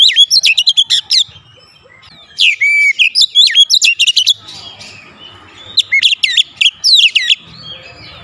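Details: Caged Oriental magpie-robin at home in full, energetic song: quick runs of bright whistled notes with swooping slurs, delivered in three bursts separated by brief quiet gaps.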